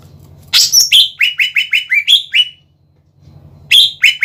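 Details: Greater green leafbird singing vigorously to provoke other leafbirds: a shrill high burst, then a quick evenly spaced series of about eight slurred notes, brief silence, and a fresh loud phrase, with low hum in the background.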